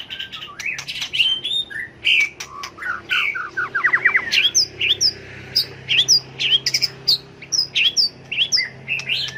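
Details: Tail-flicking white-rumped shama giving competitive fighting song to stimulate birds; varied whistled notes and harsh squeaks, with a quick run of downslurred notes midway and steady repeated phrases after.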